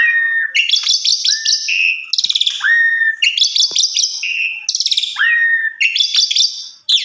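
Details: Asian pied starling singing a rich, varied song meant for tutoring other starlings; buzzy rattling bursts alternate with long rising whistles, the phrase pattern repeating roughly every two seconds, loud and clear.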